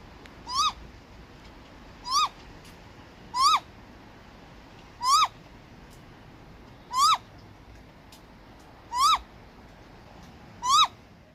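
A great grey owl gives seven short, rising-then-falling whistled calls, one every one and a half to two seconds, over a faint steady background hiss.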